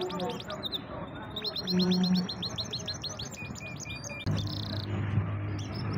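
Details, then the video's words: Pet canary song in bursts of fast repeated chirps and high trills, with a low humming background and a brief tonal hum around the middle. "Awesome singing canary / champion bird"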